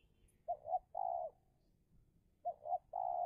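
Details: Spotted dove in Indonesia, a decoy bird used to lure and fight a wild rival, gives two coo phrases: two short, rounded notes then a long, steady, low purring coo, the phrase repeated after about a second and a half.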